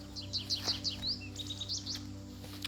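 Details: Goldfinch in the Hudson Valley, New York, giving quick, bright twittering chirps and a rising sweet note in rapid succession over a low steady hum.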